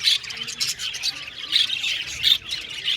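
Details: Aviary budgerigars squawk and chirp in short rasping bursts about every half second, loud shrill notes rising above a steady high twitter from the colony.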